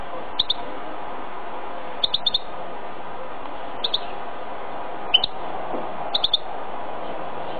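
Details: Male goldfinch × canary mule giving short bright twittering bursts of two or three high notes, repeated about every two seconds, over a steady low hum.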